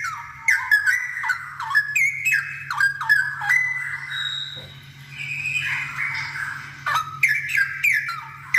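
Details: Energetic straw-headed bulbul singing, for other birds to copy: rollicking bursts of rich whistles that dip and rise, a quieter drawn-out passage in the middle, then more rapid gurgling notes, all over a low steady hum.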